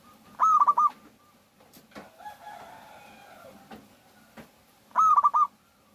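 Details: Local zebra dove, recorded as a lure to get other doves singing: two brief phrases of quick, tightly spaced cooing notes, one near the start and one near the end, with soft murmuring and knocks between them.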